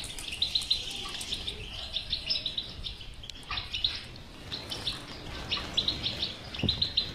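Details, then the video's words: Goldfinch bitbita twittering meant to make a silent goldfinch sing: rapid high chirps in clustered bursts roughly every half second, several voices overlapping, one short low thump near the end, steady faint background noise. "علاج الحسون الصامت بتبته"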